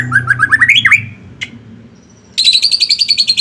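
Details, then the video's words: White-rumped shama song meant to draw other shamas to sing: a quick run of rising whistled notes, a sharp click, then a high rapid buzzy trill lasting about a second. "Kicauan Murai batu gacor memancing murai batu ikut bunyi"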